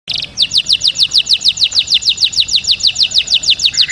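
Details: Canary song recorded for teaching chicks to sing: a fast, even tour of high, downward-sweeping chirps repeated about three times a second, after a brief buzzy opening note.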